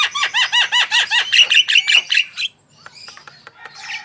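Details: Javan myna in continuous full song, used as a training recording to prompt other birds to sing: a fast run of repeated harsh, downslurred notes, about three per second, then fading into faint scattered clicks.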